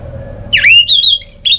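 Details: Brief loud fragment of orange-headed thrush song, a kept bird in North Bali: a swooping whistle that rises into a wavering sustained note with a sharp upward flourish, over a faint low tone.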